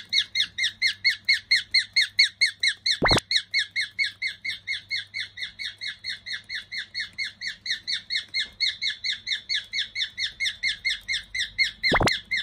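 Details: Pet cockatiel, a probable young male from a household of three, giving its 'cockatiel march' while walking indoors: a steady run of short, bright, downward-bending chirps about two per second, interrupted by two sharp clicks.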